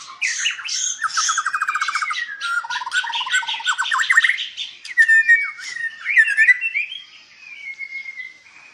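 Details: White-rumped shama in a Palembang breeding farm, Indonesia, delivering a loud, varied song: rapid rattling trills, chattering bursts and clear slurred whistles ending in a sustained note.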